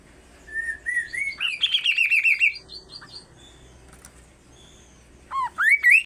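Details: Kaso-kaso bird calling insistently: sliding whistled notes that rise step by step into a fast, rippling, high warbled trill, then a pause and a sharp upward-swept whistle. A faint low hum sits underneath.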